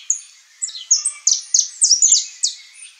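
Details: Saffron finch song: a run of high, sharp downslurred chirps and short trilled notes, about nine bright bursts in three seconds, quiet background.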